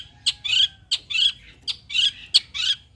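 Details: Long-tailed shrike lure song meant to provoke an answer from other shrikes: short sharp notes alternating with longer harsh, rasping squawks in an uneven, repeated pattern.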